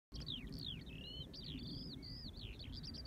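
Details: Singing Eurasian skylark: a continuous, fast, high warbling stream of slurred chirps and trills with no breaks, over a steady low rumble of wind or background noise.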